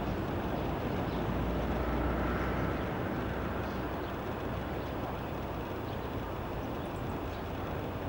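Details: Dense, unbroken broadband roar from passing traffic or wind masks everything, with no distinct calls standing out.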